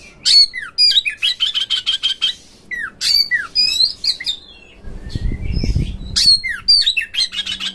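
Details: Oriental magpie-robin lure song intended to push magpie-robins into tail-opening, hard singing and fighting: rapid rhythmic chips mixed with falling whistled slurs, continuous phrases, and a brief low rumble midway.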